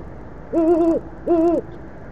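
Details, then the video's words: At an Oklahoma City nest cam at 9:45 pm on 25 March 2013, the female Great Horned Owl at the railing hoots to her off-camera mate: two deep, steady half-second hoots at night; Great Horned Owl. "Nice hooting between parents"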